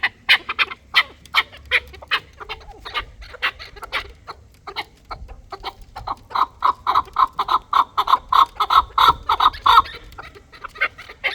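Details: Fighting chukar partridge, Dulani type, giving a rapid chain of sharp clucks that swells midway into a fast, steady, ringing chuk series, then eases off.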